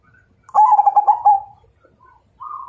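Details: One Majapahit zebra dove phrase challenging to fight: a quick series of throbbing notes trailing into a sustained coo, followed by brief softer coos.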